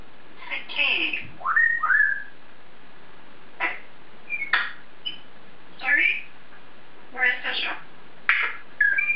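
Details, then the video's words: African grey parrot, male, chatting alone in his cage indoors: a busy run of mimicked word-like sounds, falling whistles and sharp clicks, delivered in irregular bursts. "African Grey Parrot Taking To Himself In His Cage"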